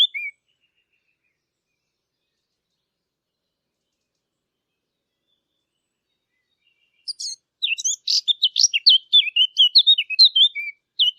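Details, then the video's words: Eurasian blackcap song recorded for hunting callers: a long silence, then a rapid, jumbled run of high chirping and warbling notes over the last few seconds. "صوت التيان او عصفور التين"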